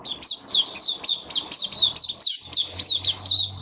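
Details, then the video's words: Caged mata puteh, a white-eye, singing on 23 March 2022 amid warm humid conditions; fast, high, downward-slurred notes given in quick bursts of about four per second, each bright and thin. "Mata Puteh Kitaro Video 1 buka sing"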